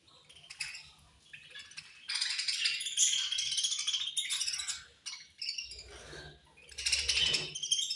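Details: Eating budgerigars give angry, rattling chatter. Scratchy chirps run in long dense bursts separated by short pauses, with faint low tapping.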